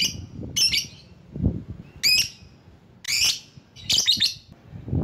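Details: Lovebird calling to provoke and attract rival birds: five shrill, chattering bursts about a second apart, each a quick tangle of squeaky notes, with soft low thumps between them.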